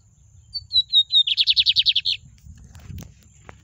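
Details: Lined seedeater singing in the soft 'na baixa' style: a few clear, descending high whistled notes, then a rapid burst of about ten buzzy repeated notes lasting under a second, over a faint low rumble.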